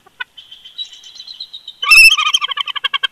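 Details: Bald eagle pair dueting at the nest at Big Bear Lake, California, in winter, February 2020: a thin wavering whistle, then a loud burst of rapid staccato chattering notes, repeated several times a second and slowing toward the end.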